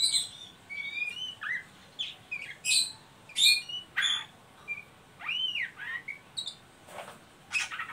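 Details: Oriental magpie-robin in ngeriwik style, a call used to stimulate young birds to sing: scattered harsh chips and short whistles, plus one arched whistled note near the middle, uneven spacing.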